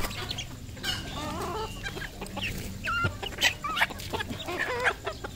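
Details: Red junglefowl decoy rooster, kept by people, uttering a busy series of short clucks and chirpy notes, some with quick wavering pitch, clustered in the second half, against a low steady hum.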